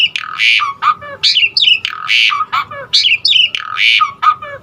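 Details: Asian pied starling in a varied song used to prompt other starlings to sing, repeating a harsh squawk followed by a descending whistled slur roughly every 1.5 seconds, in a loud, rough pattern.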